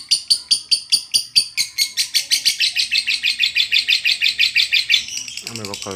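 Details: Lovebird ngekek panjang used as a training recording: the chatter starts as spaced, sharp pulses that speed into a rapid, buzzy trill, and a lower, wavering chirp appears near the end.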